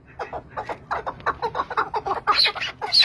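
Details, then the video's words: Chukar partridge in the Zagros giving a series of clucking, chuckling notes, irregularly spaced and rising in loudness, with a few sharper high notes near the end. "Keklik sesi Zagros"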